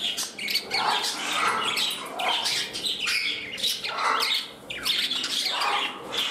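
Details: Captive parrots in a room, one bird turning feisty as it claims its place beside a companion; rough squawks and gurgling chatter come in repeated bursts roughly every second, with brief quieter gaps.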